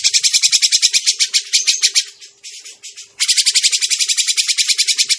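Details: Grey-cheeked bulbul call used to lure birds into traps: two bouts of fast, dry, rattling chatter split by a quieter pause near the middle.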